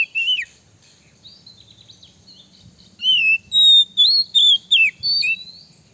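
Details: Oriental magpie-robin male singing a lure song to provoke rivals. One brief whistle, a faint soft twitter, then a loud string of about six clear, high whistled notes, some falling sharply, delivered quickly.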